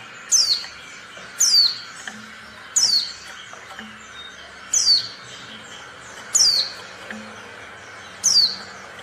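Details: Female Oriental white-eye call, used to prompt silent or lazy males to sing quickly as in the wild: high thin descending notes, sliding down sharply, repeated about every one to two seconds, six times, over steady low background hum.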